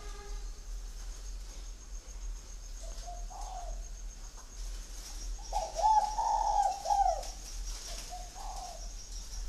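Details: Captive spotted dove in Ba Vì district, Hanoi, Vietnam, 'Son' voice: soft coos build to a louder, drawn-out hollow phrase near the middle, then a quieter closing coo, over a thin high whine.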